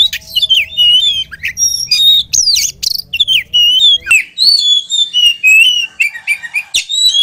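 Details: Oriental magpie-robin from a kacer hobbyist's collection singing nonstop: rich, varied whistles, slurs and sharp chips in quick succession, with a faint low rumble early on.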